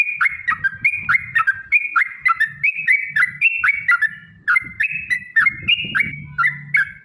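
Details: Sooty-headed bulbul delivering a long rapid song to lure other bulbuls into singing: an unbroken string of short whistled phrases, each a quick upward slur into a level note, over faint low rumbling.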